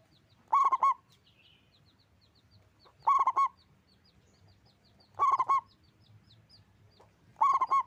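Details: Loud song of a local zebra dove: four bursts of rapid, throaty coos, each of three or four notes, arriving roughly every two and a half seconds over a quiet background of distant high chirps.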